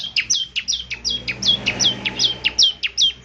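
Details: Bar-winged prinia, ciblek semi, in full active song for morning playback to draw answers: a steady run of about eight sharp, high, downslurred chirps per second, evenly repeated throughout.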